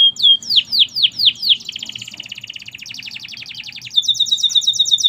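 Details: Canary song opening with several loud down-swept whistles, then a long fast rattling trill, switching to a higher rapid trill of repeated notes.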